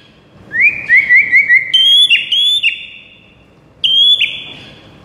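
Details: White-rumped shama song opening with five quick rising whistled notes in a row. Longer sustained high whistles follow, then one more bright whistle after a pause.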